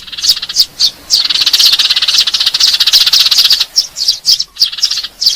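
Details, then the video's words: Eurasian tree sparrow fighting call used as a bird-trapping lure: clear high chirps, then a long, dense, buzzy chattering run, then separate sharp chirps again. "suara pikat burung gereja tarung"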